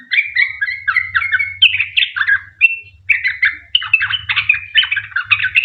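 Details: Sooty-headed bulbul in long rapid chattering song (ropel panjang), used as a lure to prompt other bulbuls to sing: dense bubbly, warbled notes jumping up and down in quick runs, with a brief pause mid-way, over a low steady hum.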